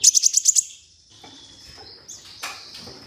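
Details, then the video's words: Olive-backed sunbird, recorded as training audio to spur singing: a quick run of six sharp, very high notes followed by fainter thin high tones trailing off. "MASTERAN merangsang KOLIBRI NINJA UNTUK PANCINGAN KONIN"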